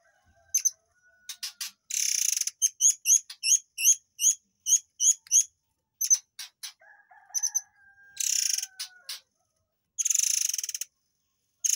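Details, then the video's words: Tembakan song of a murai air, recorded for training white-rumped shamas: a rapid even series of sharp paired chips between long harsh buzzy blasts, with a soft falling whistle in the middle. "TEMBAKAN BURUNG AIR MANCUR / MURAI AIR"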